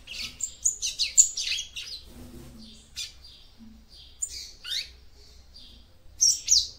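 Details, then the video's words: Female seedeater (papa-capim) singing to excite the male, a rapid series of high, thin chips and slurred whistles that runs for several seconds, pauses briefly, then ends in two loud sharp notes. "CANTO DE FÊMEA PAPA CAPIM PARA ESQUENTAR SEU MACHO"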